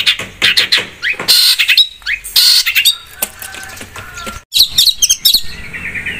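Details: Long-tailed shrike (cendet) singing busily for luring other birds: scratchy chatter, harsh buzzy notes, then a quick trilled phrase toward the end.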